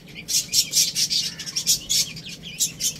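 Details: Baby chicks playing and eating, loud shrill peeps repeated in quick bursts about four times a second, piercing and high-pitched.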